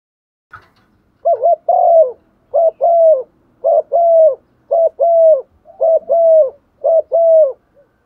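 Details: Spotted dove acting as a decoy bird, cooing steadily in a clean recording: six low phrases, each a short wavering coo and a longer falling coo, repeated about every second, evenly paced.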